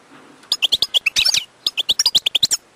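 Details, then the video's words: A wild European goldfinch delivers a fast, almost unbroken run of sharp, high chirping notes with a brief tangled twitter in the middle. No other sounds intrude. "chant chardonneret sauvage/ تغريد حسون نار"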